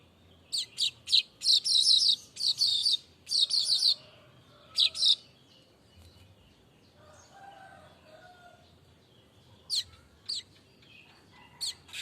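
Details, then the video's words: Streaked weaver singing non-stop in unedited audio: clusters of dry, buzzy high chirps and rattling bursts in the first five seconds, then a quiet stretch, then a few sharp isolated chirps. "Kicau burung_manyar gacor tanpa henti"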